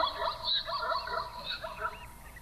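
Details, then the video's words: Double-banded sandgrouse call played back, as heard from flocks of hundreds coming down to drink in the early morning or late evening; dense, overlapping bubbly warbling notes chatter continuously with no clear pauses. "I'm going to play its call now, and you can just imagine you're lying in your tent early hours of the morning"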